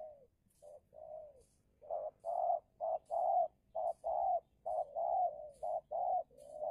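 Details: Decoy spotted dove (tekukur) in Indonesia, battling a wild dove while being used for luring; a steady run of low hollow coos, short clipped notes alternating with longer rolling ones, nearly a dozen in quick succession.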